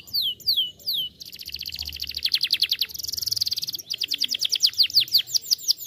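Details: Canary lure song meant to set other canaries singing: a few falling whistled sweeps open into fast buzzy rolls and trills of tightly repeated high notes, then quick curved chirps.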